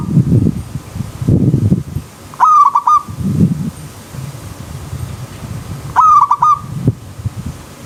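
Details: A zebra dove sings in the wild beside a river stream: two quick stuttering coo phrases over repeated low, rumbling bursts of background noise.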